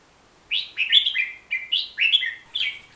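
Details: Hook-billed bulbul, endemic to Borneo and living in forest, giving a rapid run of five rich, downslurred warbled notes, each bubbly and loud, in under three seconds.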